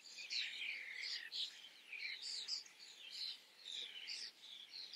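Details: Common starlings filmed at close range pour out quick, jumbled squeaks, chirps and short rising and falling whistles in an unbroken run of chatter.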